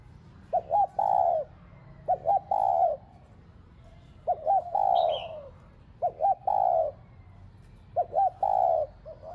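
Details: Decoy spotted dove calling to stimulate caged doves: four low cooing phrases, each a pair of short hiccuping notes leading into a longer rounded coo, spaced around two seconds apart, one faint chirp overhead.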